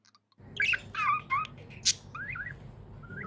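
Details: Happy pet budgerigar chirping: a burst of quick warbled, twisting chirps with a sharp click, then softer rising whistled notes trailing off over a steady low hum.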